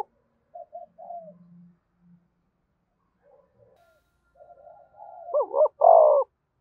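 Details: Cooing of a spotted dove, used to prompt other doves to coo quickly: sparse faint coos and a quiet murmur lead into a loud final phrase of deep, quavering, two-part coo notes.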